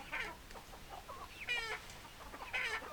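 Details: Chicken sounds: a few short harmonic squawks and clucks, two louder rasping calls around the middle and end, over faint background clucking.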